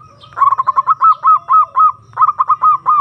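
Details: Zebra dove (perkutut) lure sound for calling a rival: a dense, loud run of rolling coos, each note slurring upward then down, in a steady rhythm over a faint low hum, with a short break before another phrase.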